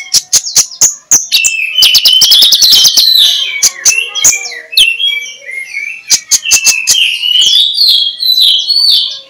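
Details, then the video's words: Ngeplong-style magpie-robin song used in the morning to coax sluggish birds into chatter, with a rising whistled glide over rapid clicking, then varied sweet whistles punctuated by single sharp ticks. "MENJUR untuk PIKAT Konin Lelet jadi NGOBRA, Menggunakan Suara KONIN Ngeplong"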